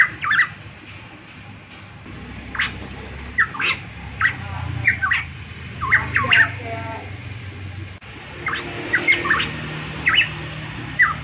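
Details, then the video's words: Song of a variable pitohui, the bird known as cucak rowo Papua, from Papua: clusters of raspy squawks and brief slurred whistles, irregularly spaced, with a faint low droning background. "burung pitohui variabel gacor cucak Rowo Papua cucak emas"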